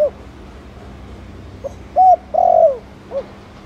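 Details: Spotted dove cooing in the Thổ Đồng style to stimulate other doves: one clear phrase of a short coo, a long downward-bending coo and a brief closing note, preceded by the tail of an earlier phrase.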